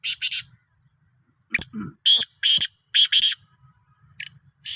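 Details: Black francolin, Sindhi form, 16 March 2023: repeated harsh, scratchy two-note bursts and a phrase of several grating notes, with a brief lower nasal sound and faint low rumble in the background.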